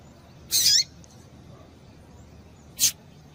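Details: A female Double-collared Seedeater gives two thin, high calls, used to stir males into singing: a short buzzy note, then a brief chip about two seconds later, over faint background hiss.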